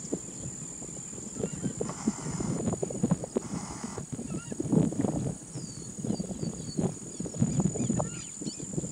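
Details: Spotted rail producing rhythmic low grunting notes in clustered bursts that swell louder around mid-clip. Short slurred whistles of other birds and a steady high whine are also audible.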